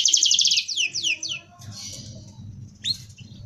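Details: Dense rolling canary song used as a tutoring model: opens with a fast, high, rattling trill, then a few descending whistled sweeps before softer notes trail off; a low background rumble runs throughout.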